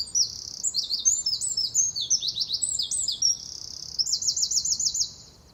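Eurasian wren song: a loud, explosive, high-pitched burst of rapid notes, with trills and rattles running unbroken for over five seconds.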